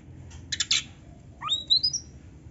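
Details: Oriental magpie-robin giving a harsh buzzy rattle, then a series of thin whistles climbing steeply in pitch, each step higher than the last. Quiet, with a low hum beneath.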